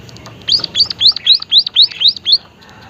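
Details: White-headed munia, a seed-eating finch, calling energetically: eight sharp, high, arched chirps at a steady quick pace, each rising then falling, over a quiet background.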